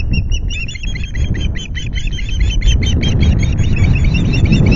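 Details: Osprey at its nest at Loch Garten on an afternoon in late July, calling during a fish delivery: a rapid run of sharp, high chirps about three per second, each with a bright upper overtone. Steady low wind rumble sits underneath.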